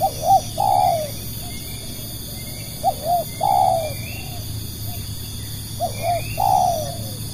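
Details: Spotted dove used as a decoy to attract wild doves, repeating a mellow coo phrase (two brief notes, then a longer falling note) about every three seconds, with a steady high whine in the background.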